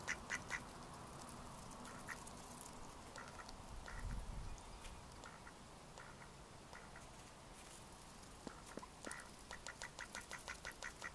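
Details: Mallard ducks in May 2014 uttering scattered single quacks, then a brisk burst of rapid quacks toward the end, over a low background rumble.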